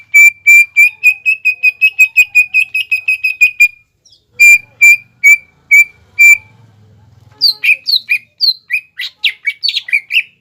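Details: A caged greater green leafbird (cucak ijo), singing to stir up rivals, gives a fast even trill of clear whistled notes, a few spaced single whistles, then a jumble of varied slurred chirps.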